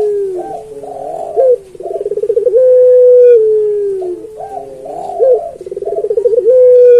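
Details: Puter pelung, a turtle dove kept for its fine voice and used as a song tutor for other puter pelung, gives a low, mellow cooing phrase twice, about every three and a half seconds: a burbling trill, then a long drawn-out level coo.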